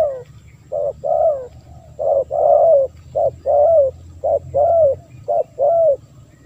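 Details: Spotted dove calling, a sound used to draw in wild doves: clear, soft coos in repeated pairs of a clipped note followed by a longer bowed one, roughly one per second, with low background rumble.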